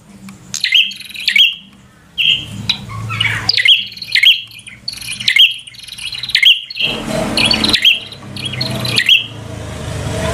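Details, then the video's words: Bar-winged prinia in energetic 'fighter' song used to provoke an opponent. A long run of high, clipped chirps and quick trills with brief pauses, with low rustling and scraping noises in the background. "Suara Burung prenjak | Prenjak Gacor Full FIGHTER Bikin Prenjak Jadi Emosi Lawan"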